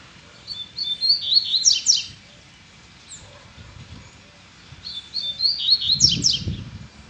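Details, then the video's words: Loose, free-living double-collared seedeater, roused by a female, delivering two quick high song phrases: buzzy, sliding twitters ending in sharp downslurred notes, separated by a pause of about three seconds. Low rumbling noise in the background. "OLHA A FIBRA DESSE COLEIRO SOLTO!!! VOLTOU AO NORMAL!!! O QUE UMA FÊMEA NÃO FAZ.."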